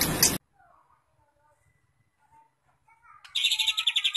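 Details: White-rumped shama song used as a lure to provoke other shamas into singing strongly: soft low warbled notes, then a loud, buzzy, rapidly pulsed rattling phrase; a brief harsh burst of noise at the very start.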